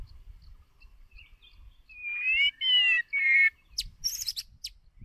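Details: White-rumped shama singing as a lure bird for voice training: soft warbles build into loud, pure whistled phrases with a falling slide, then sharp high chips, over faint low background rumble.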